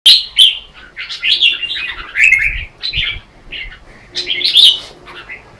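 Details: Red-whiskered bulbuls in competitive morning singing, used as lure song to train and stimulate other bulbuls: short warbled, chirpy phrases repeated in quick bursts with overlapping voices, some phrases rising and others falling.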